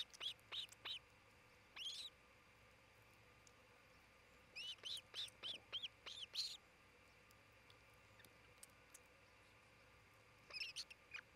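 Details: Nest-camera sound of an osprey at Charlo, Montana, near midday on 27 June 2018: three groups of shrill, whistled chirps repeated in quick series, with quiet hissing gaps between the bursts.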